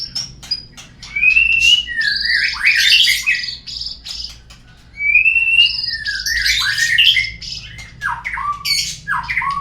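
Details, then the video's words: White-rumped shama lure song for getting birds to sing: two similar loud phrases, each starting with a rising whistle and breaking into a harsh, buzzy scramble, mixed with sharp clicks and falling whistles. "suara pancingan burung murai agar bunyi"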